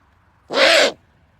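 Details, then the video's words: A lone owl lets out one loud, harsh hissing shriek of roughly half a second, in otherwise quiet surroundings. "Funny Owl Sound"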